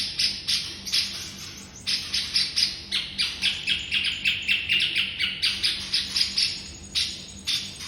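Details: Master song of a white-rumped shama for teaching songbirds: rapid bursts of bright, scratchy chirps in uneven runs, one brief pause near the two-second mark, then fast notes resume, with a soft low hum underneath.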